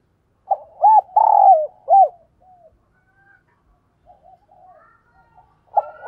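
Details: Decoy spotted dove giving a full four-note coo phrase with a short opener, an arched hoot, a long falling coo and a final hoot. Soft faint notes follow, and a new phrase starts at the end.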